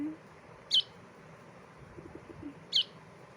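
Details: Baby bulbul giving two short, sharp, high chirps about two seconds apart against a quiet hiss, with a person talking softly just before and after.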